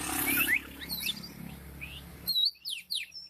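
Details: Songbird singing a quick series of sharp, high, descending chirps and short whistled slurs, with a rougher noisy burst at the start.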